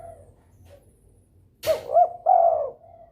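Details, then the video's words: A sharp knock precedes a single phrase from a spotted dove in breeding mood, calling to provoke rivals: two short coos and a sustained, slightly falling croon. Faint coos from another dove sound before it. "DERKUKU birahi gacor merangsang lawan ikut bunyi"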